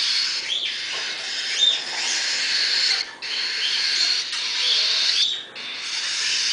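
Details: Cockatiel (Nymphicus hollandicus), chick calls.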